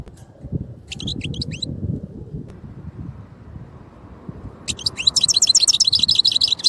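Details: European goldfinch: a brief twitter, then a lively run of high trilled and tinkling notes, heard over steady low background rumble and hum.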